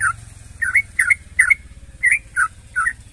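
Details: Sooty-headed bulbul song intended to get other bulbuls singing: spaced, rich warbled whistles, roughly two per second, against a noticeable low droning hum.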